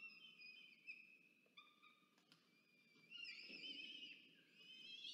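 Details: Peregrine falcons, the male bringing food and the female feeding two chicks, at a nest box in Orange, New South Wales, Australia, 24 October 2022. Thin, flat whining notes give way to a louder, rougher wailing burst, with some knocking sounds.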